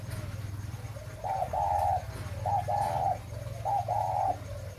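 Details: Spotted dove in breeding condition cooing: a short note followed by a longer, drawn-out mellow coo, the phrase repeated three times about every 1.2 seconds over a steady low hum.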